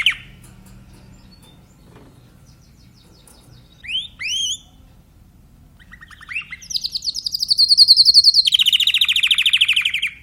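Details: Timbrado canary singing: near silence, then a few sharp rising whistles, a short buzzy phrase, and finally a loud, rapid rolling trill that holds steady and then drops slightly in pitch over its last three seconds.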